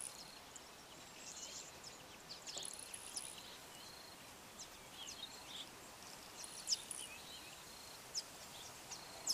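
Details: A male yellow bishop calling and displaying to a female gives thin, high, sizzling buzzes and sharp ticks at an irregular pace, with a steady hiss of background noise.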